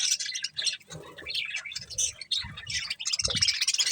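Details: Budgerigars eating corn give scattered high chirps and scratchy warbles, mixed with low crunching and knocking sounds from feeding.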